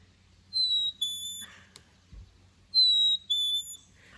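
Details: Black-capped chickadee (Poecile atricapillus) song, likened to "cheeseburger": a clear, pure whistled high note dropping to a slightly lower one, sung twice about two seconds apart, with a faint click between.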